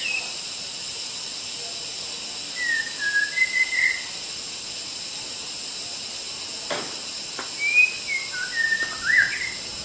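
A white-rumped shama gives two bursts of clear, rich whistled phrases, rising and falling, over a steady high hiss with one sharp click.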